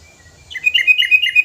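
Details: Sooty-headed bulbul, five years old, in full active song meant to call in other birds: a brisk run of clear, evenly spaced chirped notes repeated about six times a second.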